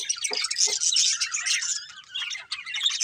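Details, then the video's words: Busy twittering from a colourful budgerigar breeding pair: quick, overlapping chirps and warbles with a couple of short lower squeaks near the start, fading slightly toward the end. "Colourful Budgies Chirping Sounds"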